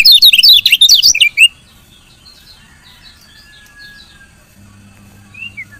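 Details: Female lemon-bellied white-eye chirping to stir lazy males into song; a short burst of fast, loud, high chirps, then quiet with faint distant twitters and a low hum.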